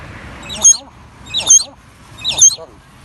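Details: A common hill myna in Krabi, Thailand says a husky, speech-like "hello" three times, about one second apart; the voice sounds high and slightly wheezy over a faint background hum.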